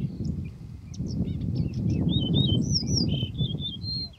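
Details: A singing male Yellow-breasted Bunting (Emberiza aureola) gives a run of clear, slurred, flute-like whistles, high and fairly quick, over a heavy low rumble of wind or distant noise.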